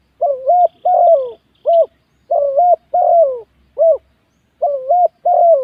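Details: Spotted dove used as a decoy on a ground arena, singing in a luring contest: loud, mellow coos around mid-pitch, in paired rising-then-falling phrases with short single notes between, repeated steadily in a quiet background.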